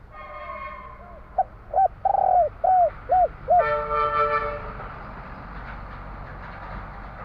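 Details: Spotted dove of the Javanese type singing its 'kuk 3' song: a soft coo, then a long slurred note and three quick hollow coos. A loud horn-like tone and steady background noise follow.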